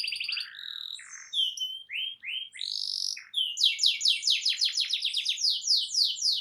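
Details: Loud canary song meant to spark other canaries into singing. Varied short whistles and slurred notes come first, then a rapid series of descending sweeps.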